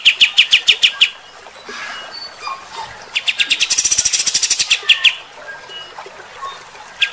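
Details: Kapas tembak bulbul with coarse 'tembakan' shooting song: a quick chirp series, quiet scattered notes, then a rapid high trill merging into sharp chirps, with a brief final burst.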